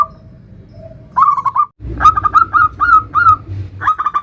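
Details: Local zebra dove singing a nutut-style song used as a lure to make other zebra doves sing: short bursts of soft, trilled cooing notes at a steady mid pitch, broken by pauses, with a low rumble underneath.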